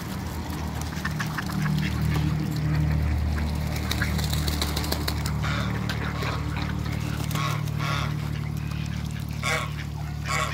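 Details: Two pairs of backyard ducks, mallards, mallard hybrids and Pekin ducks, give quick, scattered quacks and low nasal calls over a steady low hum, several birds calling at once.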